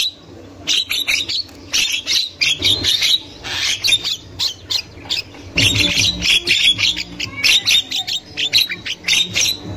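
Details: Wild Javan myna, female chatter meant to lure young birds: dense runs of harsh, scratchy squawks and sharp chips in clustered bursts with short pauses, loud and continuous throughout, with a low hum beneath.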